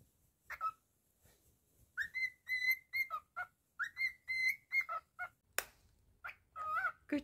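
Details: Pet male cockatiel indoors whistling a song: clear tonal notes near two kilohertz with rich overtones, phrases repeated in quick bursts, a sharp click partway through and short chirps at the end.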